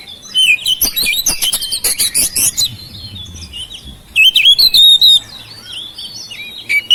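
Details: House oriental magpie-robin singing to lure silent birds into song: dense bursts of rapid buzzy chatter and whistles at first, then a pause and a second series of clear, looping whistled notes.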